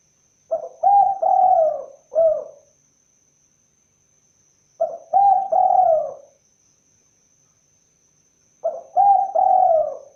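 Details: Spotted dove giving low, hollow cooing phrases, each a few short stuttered notes then a longer drawn coo, repeated three times about every four seconds in otherwise quiet surroundings with a faint steady high hiss.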